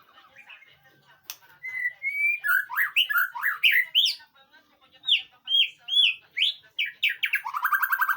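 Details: White-rumped shama singing in a training recording meant to prompt a reply: loud, varied song of sweeping whistles and slurred notes in quick succession, ending in a rapid trill, with a sharp click near the start.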